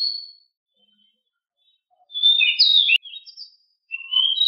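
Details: Master recording of a household pied bushchat (decu): a thin whistled note, then after silence a loud buzzy warble with sharp slurred notes, a short twitter, and a rising whistle at the end.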